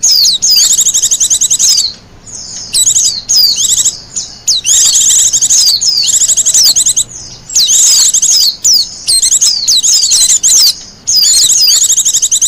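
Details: Sustained singing by a wild Japanese white-eye, a song recommended for luring and tutoring: dense bursts of high, rapid chattering trills and slurred whistles that keep returning with brief gaps over twelve seconds.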